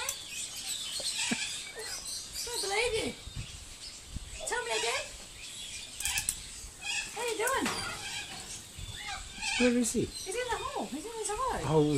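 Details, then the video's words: Talking corella at Silverton, NSW, on 25 June 2010, speaking in short, wavering, speech-like phrases with rising and falling inflections, broken by harsh squawks, as people's voices murmur in the background. "Talking Corella"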